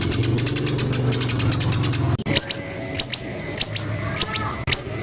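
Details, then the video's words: White-rumped shama song compiled as a training recording of harsh 'tembakan kasar' phrases: a burst of rapid high ticking notes, then an abrupt cut to spaced, downward-sweeping sharp notes over a low hum. "Masteran burung murai batu terlengkap full tembakan kasar"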